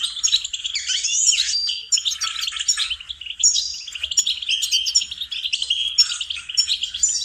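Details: Training recording of goldfinch song, dense jingling twitter with sweeping chirps and buzzy trills for about seven seconds, short gaps around two and four seconds.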